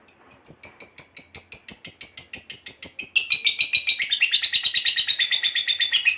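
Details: Lovebird giving a long chattering call, the kind used to lure other lovebirds: fast, steady run of shrill chirps, about three per second, rising in pitch partway through and continuing unbroken to the end.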